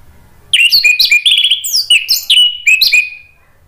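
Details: Orange-headed thrush singing in the energetic 'gacor' manner with 'ngeplong' style, used to prompt a bird that has stopped singing: a rapid run of sharp, varied whistled notes and slurs, several rising then dropping, delivered in tight bursts for about three seconds.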